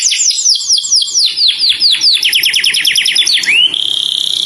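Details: Canary calling to its companion with a rapid series of bright, high downslurred notes that drop slightly in pitch, ending in one rising note and a steady high buzzy trill.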